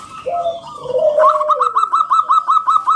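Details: Local zebra dove singing loudly: low drawn-out cooing notes that dip in pitch, followed by a brisk, even series of short higher coos, about five per second.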